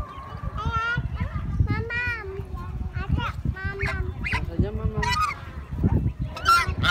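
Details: Several geese calling together, a busy run of overlapping nasal honks and short bugling notes, some rising, others falling, with hardly a pause across the stretch.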